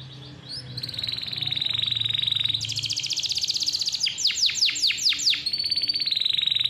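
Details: Canary singing loudly and clearly, used as a lure to make young or quiet canaries sing: long rapid trills held near one pitch, then jumping higher, followed by a run of steep descending whistled sweeps and another buzzy roll.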